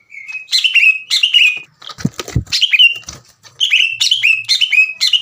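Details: Agitated captive greater green leafbird delivering loud, clear ngeplong song and harsh tembakan bursts that challenge other leafbirds to fight. Bright whistled phrases slide downward, broken by a brief pause with low thumping knocks.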